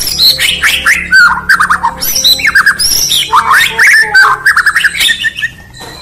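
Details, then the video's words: A white-rumped shama (murai batu) from Indonesia sings in the morning, a rich, fast run of varied whistles, rising and falling slurs and sharp chattering notes, almost without pause; a low steady hum underneath. "Beautiful Murai Batu Chirping"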